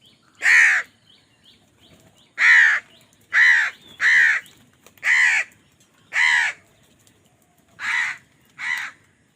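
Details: A crow fighting for food caws repeatedly, eight loud, grating calls in a steady irregular series.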